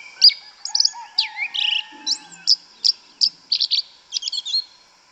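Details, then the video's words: Forest song of a yellow-legged thrush (sabiá preta) in Brazil, canto mateiro style: a slurred opening followed by a string of about a dozen sharp, high, evenly spaced notes. "Sabiá Una cantando no mato. Lindo canto mateiro da sabiá preta"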